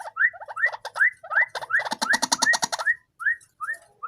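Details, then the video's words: Tame white-breasted waterhen raised from a chick, which calls at any time. It gives a rapid series of rising, nasal notes, several per second, mixed with a burst of dense rattling pulses midway. "burung ruak ruak jinak gacor"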